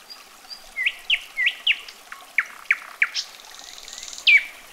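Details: A common nightingale sings a varied phrase of quick upslurred whistles and sharp clicking notes, then a thin, high buzzy trill, ending with one loud, sweeping whistle.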